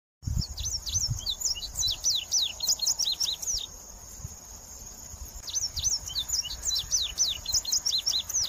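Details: Indigo Bunting (Passerina cyanea) singing high, sharp, often paired notes in quick phrases, with a pause midway before the song resumes. A steady high insect drone runs underneath throughout.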